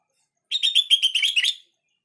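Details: Sooty-headed bulbul call used as training material so other bulbuls respond: one clean, rapid string of about eight bright chattering notes, sliding slightly lower at the end, in silence.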